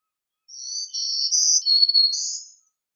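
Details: Black-throated green warbler singing one buzzy, wheezy phrase of high notes about two seconds long, with slurred zee-like segments that shift up and down in pitch, against a silent background.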